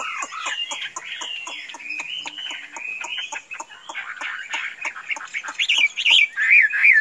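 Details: Tame Chinese hwamei singing softly in rambling warbles under steady sharp clicking, then breaking into louder looping whistled phrases at the end.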